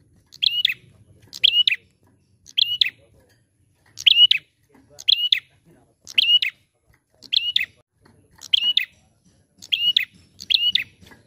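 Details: Bar-winged prinia in a lively, prolific calling recording meant to prompt other prinias to sing. Sharp, high, doubled chirps sound in short bursts about once a second, each burst nearly identical, over a quiet background with faint low rumbles.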